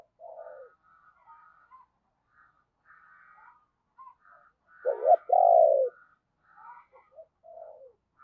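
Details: Decoy spotted dove with a deep 'thunder' voice, cooing to lure wild birds: soft low coos open, then a loud two-part throaty coo near the middle, with scattered fainter higher chirps from other birds.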